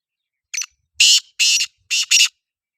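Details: Loud harsh call of a black francolin: a brief clipped note, two drawn-out rasping notes, and a final double note, with clean silence between.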